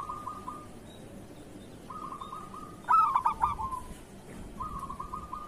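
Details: Local zebra dove (perkutut) singing kerot-type song meant as a training model for other doves; a single loud, choppy coo phrase in the middle, framed by quieter rolling trilled notes before and after.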